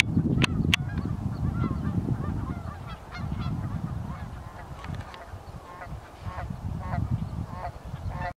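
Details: A flock of geese on a very cold North Idaho morning on the Pend Oreille River, giving many overlapping nasal honks in quick, uneven succession above a steady low rumble.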